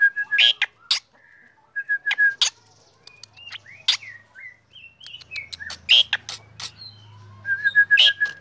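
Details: Black drongo singing in the morning: sharp broadband chips alternate with short whistled notes and rapid trilled phrases, varied and irregular, with a faint low hum in the background during the second half.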